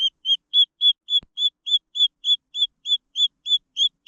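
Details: Green junglefowl chicks calling in rapid, flatter high whistled peeps, about three or four per second, very regular, with one faint click partway through.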